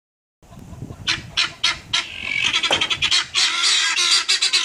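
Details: Guineafowl giving harsh, grating squawks about three a second, running together into loud, rasping chatter, apparently directed at a police dog, with faint low background noise.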